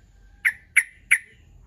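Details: Yellow-vented bulbul call used as a lure to draw rival birds into answering; three short, harsh chuck notes, evenly spaced about a third of a second apart, against a quiet background.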